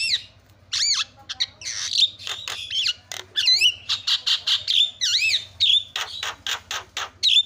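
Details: Varied Javan myna calling, used to provoke other mynas into answering: looping whistled slurs, rising and falling notes, and quick harsh chatters in a fast, irregular loud sequence over a faint low hum.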